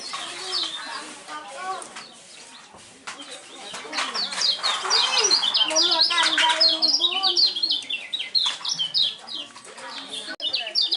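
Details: Lemon-bellied white-eye, a contest bird praised for a unique, champion-class voice, singing rapid high chirps and quick rising and falling whistled notes in dense runs, while people talk in the background.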